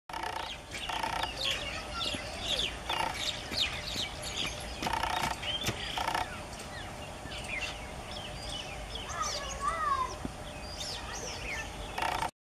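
White-rumped munias give thin, high chirps and twitters scattered through the clip, over a steady background hiss broken by occasional rustling bursts.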